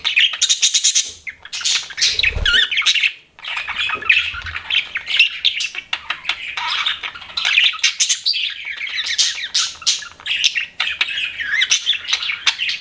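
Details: Pet budgies in lively chorus, a steady stream of twittering chirps, squeaks and harsh chatter, broken by a short low thud near the two-second mark.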